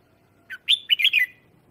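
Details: A red-whiskered bulbul sings a lure song to call in wild birds, a single short sub-second phrase of loud, clear, whistled and warbled notes.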